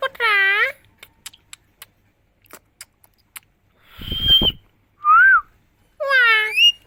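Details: Green parrot from India said to be talking "miya Mithu" in Hindi; opens with a loud buzzy squawk, then faint clicks, a noisy burst, a short arched whistle and another harsh squawk.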